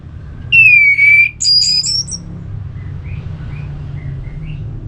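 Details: Ngeplong-style song of an orange-headed thrush, used to make a listless bird answer and sing: a clear, loud downslurred whistle, then a high warbled phrase, then faint soft notes over a steady low hum.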